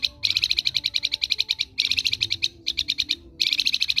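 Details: Flamboyan delivering ngerok song, kept as master material for other birds to learn from: long, fast trills of piercing repeated notes broken by brief gaps, with a faint low hum underneath.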